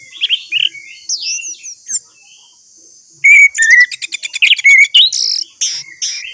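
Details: Orange-headed thrush song for prompting a quiet bird to sing: soft, thin whistled notes at first, then a loud, fast sequence of sharp chirps, trills and slurred whistles.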